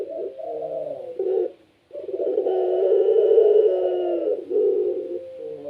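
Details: Barbary dove of the puter pelung kind, caged, cooing lustily to set off other doves: two short coos, a gap, then a long rolling low coo and a softer trailing note.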